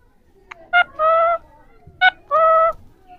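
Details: Three Indian ringneck parakeets talking, recorded 7 January 2024. Two pairs of harsh calls, each a short sharp note followed by a longer, nasal, steady squawk, with quiet gaps between.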